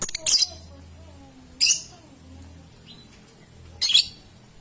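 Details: Lovebird, young (paud) bird, played to prompt long ngekek and ngetik trills in other lovebirds; three sharp, high, grating chirps spaced roughly 1.5 to 2 seconds apart, with faint low hum and soft whistles between.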